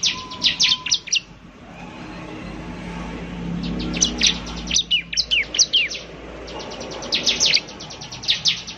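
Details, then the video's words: Bar-winged prinia used as a lure, giving bursts of high, quick chirping notes between quieter stretches of low background rumble and noise. "pancingan suara ciblek semi gacor"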